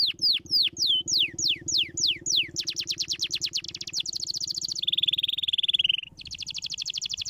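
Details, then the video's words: Canary singing, meant to quickly rouse lazy canaries into song: spaced descending whistled notes, then rapid chattering trills, a steady buzzy high roll, and a final fast trill. "Los canarios especiales estimulan rápidamente el sonido de los canarios perezosos"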